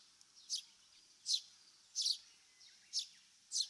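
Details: Eurasian Tree Sparrow in Japan uttering six clipped, high chirps at irregular intervals over nearly four seconds. Some notes are doubled, and the surroundings are otherwise quiet.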